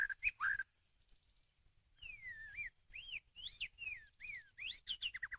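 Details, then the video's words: White-rumped shama song used to lure birds: a few sharp opening notes, a short pause, then a run of clear, looping whistles that rise and fall. The song ends with quick, rapid slurred notes. "pikat burung murai batu"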